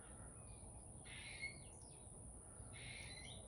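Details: Chickadee in a backyard giving two harsh, buzzy scolding notes about two seconds apart, over a low background rumble and a steady high whine.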